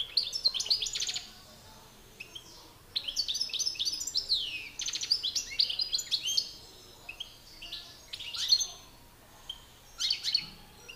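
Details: Two male European goldfinches in a song battle, one a master singer and one excited: bursts of lively twittering and tinkling trills with downward slurs, broken by short pauses.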